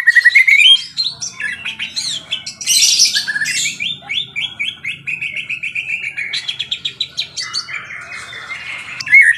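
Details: White-rumped shama singing in lively gacor style: a rapid run of varied whistles, sweeping rising notes and harsh buzzy bursts that slide into quick repeated chips, with a faint low hum underneath.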